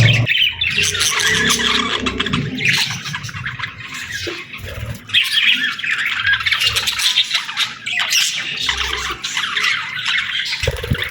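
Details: Budgerigars chirping in the morning: dense, continuous chatter of overlapping chirps, warbles and squawks from several birds, with a steady low rumble underneath throughout.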